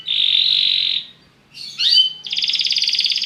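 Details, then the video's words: Belgian canary song aimed at stimulating other birds: a long steady whistled note, a brief silence, a twisting slurred phrase, then a fast pulsing trill. "CANTO DO CANARIO BELGA PRA ANIMAR SEUS PASSAROS"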